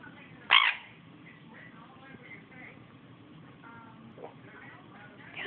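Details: A pet sun conure named Kiwi, climbing around, gives a loud, harsh, grating screech, then stays quiet before a second squawk begins.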